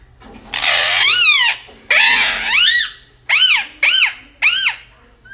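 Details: Aggressive pet parrot indoors giving harsh, raspy screeches: two long noisy squawks, then three short arched squawks about half a second apart.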